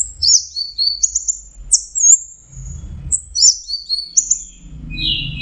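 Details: Anis merah, or orange-headed thrush, singing high melodious whistled phrases with sharp downslurs and trills, ending on a lower buzzy note, against soft low rumbling.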